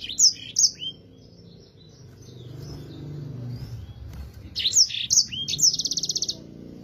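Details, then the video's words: Yellow-fronted canary, a clear and lively singer used to tutor other songbirds, gives two sharp high whistled notes, pauses quietly, then a bright run of clear notes ending in a rapid, evenly pulsed high trill. "Mozambik gacor suara jernih cocok untuk masteran"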